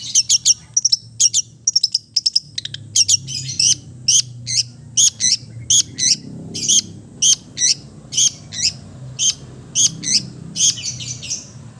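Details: Long-tailed shrike, East Java strain, in relaxed full mimicry song used to stimulate silent birds; a long steady series of short high chirps, roughly two per second, each with a slurred whistled tail.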